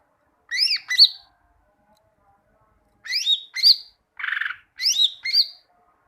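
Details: Greater green leafbird tutor song for training birds to sing: pairs of sharp sweeping whistles separated by pauses, with one short harsh buzzy burst between them.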